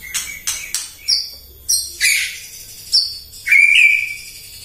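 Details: White-rumped shama morning lure song to stir other birds: a series of sharp, explosive high notes about every half second, ending in a longer loud whistled phrase.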